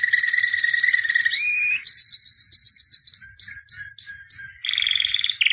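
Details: White canary (albino), 2017 champion: a low steady trill steps up into a higher pulsed run, then spaced clipped notes and a final buzzy roll.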